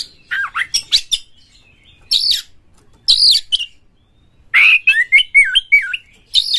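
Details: Oriental magpie-robin singing vigorously, a lure meant to get other magpie-robins to sing and fan their tails. Loud bursts of sliding whistles and harsh buzzy notes come in three spaced bouts, ending in a wavering whistled run.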